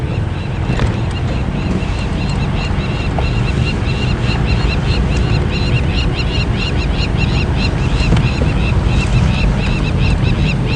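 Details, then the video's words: Several very angry crowned lapwings at dawn on a morning safari drive, Djuma Game Reserve, 15 June 2015, giving shrill, harsh calls in quick, overlapping bursts throughout, over a steady low rumble of engine and wind. "Very angry crowned lapwings you can hear."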